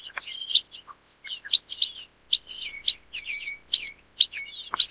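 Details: Chestnut munia, also called black-headed munia (Lonchura atricapilla): a busy run of short, high chirps and thin slurred notes, several overlapping, coming in quick bursts about every half second over a steady high hiss.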